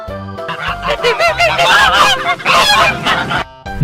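A flock of geese honking, with loud nasal calls overlapping rapidly over soft background music.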